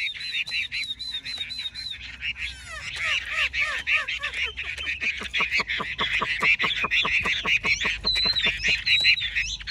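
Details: A large male Chinese hwamei sings a loud, varied run: repeated high whistles, then falling slurred notes and a fast stream of sharp, chattering notes, about three a second.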